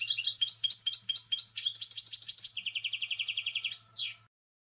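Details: Singing goldfinch giving a continuous twittering stream of high, liquid notes that shifts into an even, rapid trill, ending with a sharp descending slur.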